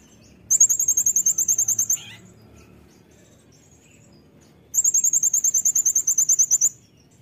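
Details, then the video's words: Cage-bird tutoring recording of a brown-throated sunbird in rapid 'nembak' style: two long volleys of needle-thin, very high notes fired in quick succession, separated by a silent pause of nearly three seconds. "konin gacor nembak‼️untuk masteran"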